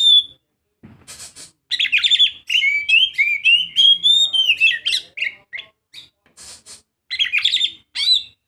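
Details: Young Oriental magpie-robin singing a rapid, varied warble of sweet whistled and chattering notes in busy runs, broken by short pauses and interspersed with harsh, buzzy rasping bursts near the start and again toward the end.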